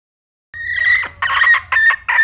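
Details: Red junglefowl hen calling: a drawn-out nasal note, then a few loud, harsh clucks in quick bursts, with a quiet low hum underneath.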